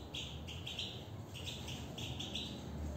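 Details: Goldfinch song: a rapid chain of bright chirps, several per second, grouped in short twittering phrases with brief gaps, against a constant low rumble.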